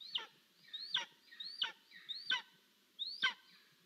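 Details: Golden eagle chick at an Estonian nest begging for food, five high squealing calls slurring up then sharply down, about two every three seconds; parents had just brought prey; July 10, 2022.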